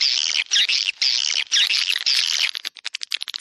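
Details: Swiftlets in a 'Dua Bidadari' lure recording for a central swiftlet area: loud, continuous shrill twittering that fades into quick separate clicks near the end.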